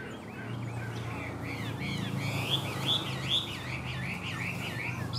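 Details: Chinese hwamei kept as a cage bird in Vietnam, giving a fast series of rolling, wavering whistles in a steady rhythm, moderately loud above a constant low background drone.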